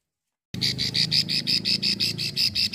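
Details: Female plain prinia (prenjak sawah, cici sawah) from Ulujami, Central Java, giving her long 'ngekrek' call that lures males: after a brief silence, about a dozen dry, high clicking notes follow one another at roughly five per second.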